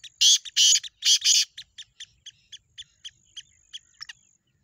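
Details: Black francolin, locally called chakri wali tettar, giving three loud, harsh, grating notes followed by a fading series of short, sharp clicking notes, with a faint steady high whine in the background.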